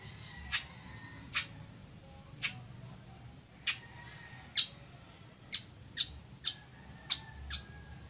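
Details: Chichiguao (village weaver) chips recorded for teaching birds: scattered, fairly quiet high notes at first, then a quicker cluster of six sharper chips toward the end.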